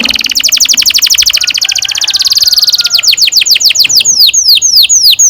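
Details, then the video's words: Canary singing a long rolling song meant to lure young canaries into singing: a fast series of rapidly repeated downward-sweeping high notes gives way to slower, spaced, longer swooping notes. "Kenari gacor NGEROL PANJANG cocok untuk PANCINGAN KENARI PAUD bikin BURUNG KENARI GACOR PANJANG"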